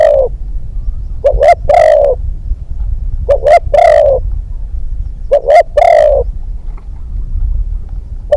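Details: Spotted dove used as a hunting decoy, a new young bird on its second training outing. Three deep cooing phrases come about two seconds apart, each made of short clipped notes ending in a longer, drawn-out coo, over low rumbling background noise.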